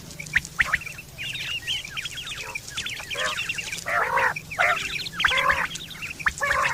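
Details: Quail call recorded in September 2023, described as used for hunting and mating: quick high chirps at first, then loud nasal, layered bursts about every second against a low background hum.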